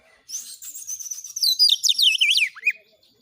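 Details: Kacer song used as a training lure to make other magpie-robins sing: a dense three-second flurry of high, buzzy twitters rising into loud, quickly repeated slurred whistles, ending with one dropping note.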